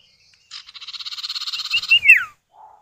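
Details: Common iora male and female calling in answer to each other, meant to draw other birds into singing: a long, rapidly pulsed buzzy trill swelling in volume, capped by a sharp descending whistle, then a faint low note.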